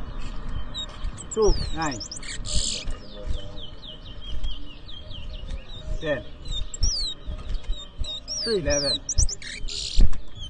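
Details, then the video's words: Towa towa singing at a bird whistling competition in New Amsterdam, Berbice, Guyana, in 2023: rapid high chirped phrases of quick sweeping notes, repeated throughout. Human voices and low background noise are also heard. "TOWA TOWA BIRD WHISTLING COMPETITION"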